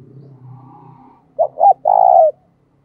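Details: Spotted dove kept as a decoy, calling to draw in wild doves. A soft low hum fades out first, then come two quick hoots and a drawn-out, slightly trembling coo that drops off at its close.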